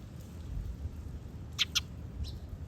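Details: Male and female birds calling, the female answering the male with a short 'pi': two sharp, brief chirps in quick succession, then a fainter chirp half a second later, over a low steady background rumble.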